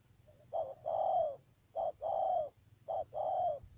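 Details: Spotted dove decoy bird used for trapping at Mương Điều, Đầm Dơi, Cà Mau, Vietnam, 12 March 2019. It gives low, mellow coos in three phrases, each a short note followed by a longer, drawn-out coo that sags slightly at the end. A faint steady hum sits underneath.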